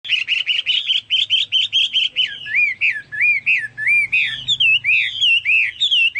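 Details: Chinese hwamei song, said to resemble cucak Papua or cucak mas birds: rapid, loud, whistled notes, first a fast run of repeated rising phrases, then slower looping, swooping whistles of varied shape.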